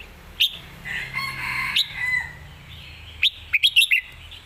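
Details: Red-whiskered bulbul competition song: a longer, harsher call from another bird at first, then a fast phrase of five whistled notes near the end.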